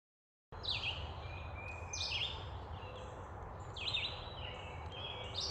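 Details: Red-eyed Vireo song: a series of short, slurred, robin-like phrases, somewhat softer than a robin's, about one a second at a similar high pitch, over a steady low hum; easily confused with the American Robin.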